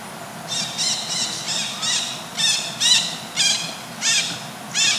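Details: Juvenile Buffy fish owl, part of a family group, practising hunting: a series of harsh, raspy squawking screeches, about nine in five seconds, each a short broadband burst with a steady hiss of insects in the background.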